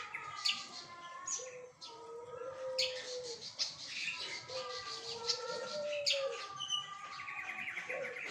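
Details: Flycatcher singing energetically: long, smooth low whistles that swell and fade, layered with quicker high chirps and short buzzy notes, all running on without pause.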